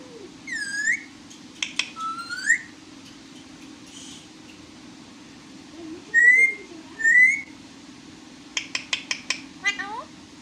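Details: Pet parrot giving scattered vocal bursts: swooping whistled glides, two loud rising squeals, a rapid string of five clicks, and a closing warbled note, all over a steady low-pitched hum.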